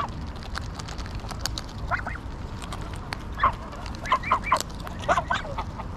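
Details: Greylag geese, Pearson Park, Hull, England, late August 2021, GoPro Hero9 recording. A quiet opening of clicks and low background noise gives way to a run of loud, nasal honks in the second half.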